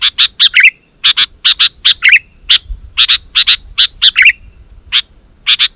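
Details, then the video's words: Sooty-headed bulbul singing energetically, to call other bulbuls: steady groups of two or three sharp bright chirps, some ending in short downward slurred notes, repeated throughout. "Suara Burung KUTILANG GACOR 100% Ampuh Untuk Suara Panggilan Kutilang Lain auto Emosi dan Gacor"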